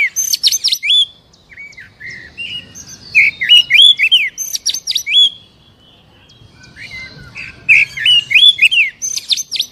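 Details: Oriental magpie-robin song used to trigger a captive bird that is slow to sing: bursts of rich whistled notes mixed with piercing high chips come in two phrases, separated by a quiet gap of over two seconds, with faint low background murmur.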